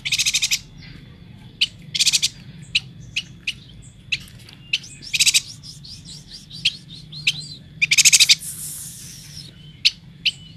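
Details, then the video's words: Yuhina, endemic to Kalimantan, sings in short bursts of high, sharp chirps and quick buzzy trills at an uneven pace, over a faint steady high whine and low hum; recorded 14 January 2020. "Suara burung yuhina gacor"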